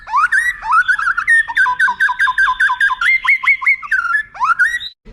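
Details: Tutor recording of white-rumped shama with long highlight phrases for contest birds to learn: rising whistles into a rapid train of sharp repeated slurred notes, then a final rising whistle, loud and clear.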